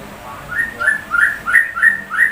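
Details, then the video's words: Sooty-headed bulbul imitating a white-rumped shama: six short rising whistles in even succession over a faint hiss. "Burung TRUCUK rasa MURAI BATU"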